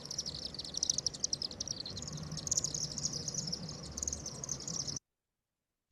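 Chimney Swift giving a fast, high, dry chittering twitter that runs on without a break for about five seconds over a faint low background hum.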